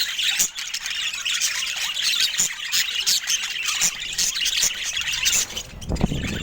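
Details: Budgerigars kept as pets chatter nonstop in a crowded chorus of scratchy squawks and squeaks, with a few sharp clicks and a low bump near the end.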